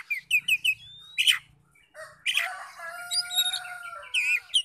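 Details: Oriental magpie-robin song played to trigger singing in other magpie-robins: quick repeated chirps, a thin rising whistle, a burst of harsh broadband noise, then sustained whistles and scratchy trills.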